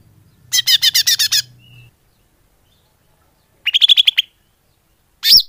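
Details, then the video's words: Greater green leafbird call used as a lure: a harsh rattling burst, a pause, a chattering run of slurred whistles, then a single loud swooping note, with faint low hum at the start. "Suara Pikat burung cucak hijau / leaf bird call"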